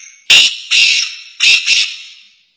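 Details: Partridge singing inside a car: four loud, harsh, grating bursts in two pairs, each about a quarter second long, with a brief ringing tail after the last.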